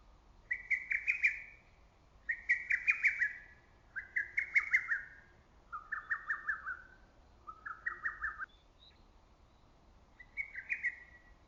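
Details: Lesser cuckoo in early summer forest, its loud voice ringing across the valley: six rapid staccato whistled phrases in quick succession, later ones slightly lower in pitch, over low background rumble and a faint thin bird note.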